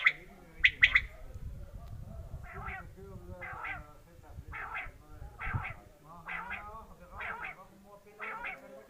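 A quail gives three sharp, high notes, then a run of paired, clipped calls about once a second over a low rumble of background noise.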